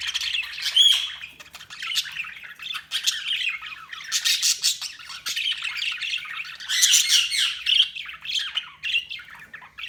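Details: Several budgies chattering nonstop, scratchy warbles and sharp squawks overlapping in a dense, high-pitched flock chorus.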